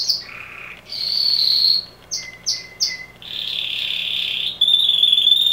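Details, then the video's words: Loud canary song by a male: buzzy sustained tours alternate with a run of three quick sharp notes, then a long steady high trill closing the phrase. "Canary singing"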